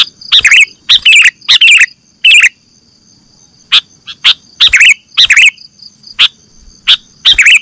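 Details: Sooty-headed bulbul lure for catching birds: groups of rich, gurgling chirps, about two a second at first, then a pause and a looser series of sharp clicks and warbled notes, with faint steady high hum behind.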